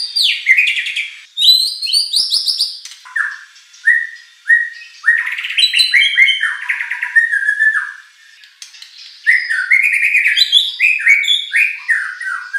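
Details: White-rumped shama song aimed at provoking a competition bird into singing back: a long varied sequence of loud rising and falling whistles, short downslurred notes and rapid chattering runs with few pauses.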